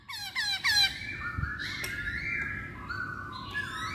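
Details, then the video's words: Poksay hongkong, the masked laughingthrush, in a lure recording: quick nasal squawky notes stacked in harmonics, followed by long wavering whistled tones over a steady low hum. "Pancingan Poksay Hongkong"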